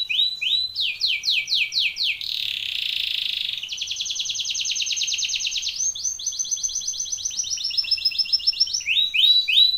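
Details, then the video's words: A canary's training song: a series of downward-sliding whistled notes, a brief harsh buzz, then long fast rolling trills, closing with more sliding whistled notes; clear and loud. "BEST canary singing / CANTO CANARIO CANTANDO FOR TRAINING / CANARY TRAINING SONG"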